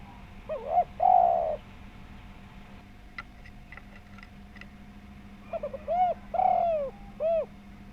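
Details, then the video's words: Spotted dove (tekukur) with a round, full voice, calling as a lure to get other doves to answer. Two cooing phrases of stutter, long falling coo and short arched coo are separated by a few faint clicking taps. "Tekukur Gacor Suara Bulat Pemancing Bunyi"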